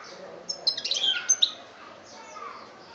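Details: European goldfinch, Algeria 2013, chbab song: a short burst of high sharp twittering notes over about one second amid low background noise.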